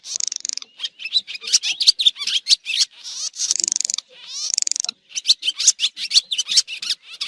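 Swallow-type birds twitter in dense, high bursts of sharp chirps and quick buzzy rattles, with barely a pause through the whole stretch.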